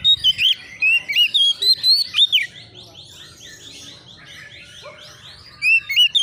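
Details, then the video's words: Oriental magpie-robin, a young bird reacting with agitation to a rival, gives fast irregular whistled sweeps and chips, followed by a stretch of softer rapid repeated chirps before loud whistles return at the end. "SEKETIKA ITU KACER BAKALAN LANGSUNG NYAUT EMOSI KONSLET!!!burung Kacer cari lawan"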